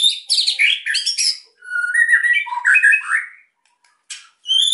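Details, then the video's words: White-rumped shama singing emotionally to set quiet birds singing: fast high chattering notes, rolling mid-pitched warbles and whistles, a pause, then sharp high notes. "MURAI GACOR EMOSI BIKIN MEMANCING BURUNG YANG PENDIAM"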